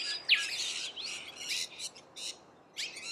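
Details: Feeding rainbow lorikeets in Australia, giving a sharp rising squeal followed by bursts of grating, buzzy chatter and a final harsh screech.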